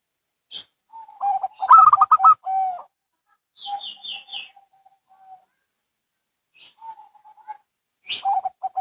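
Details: Zebra doves, local and Bangkok birds calling in reply: one fast burst of bubbling coos ending in a long note, then soft drawn coos, with brief high chirps from other small birds.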